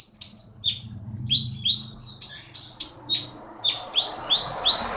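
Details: Blue-winged Leafbird from the Bangka forest, a prize-winning contest bird, delivering rapid high whistled chirps, several per second, starting with a thin sustained note, over soft low background noise that turns hissy near the end.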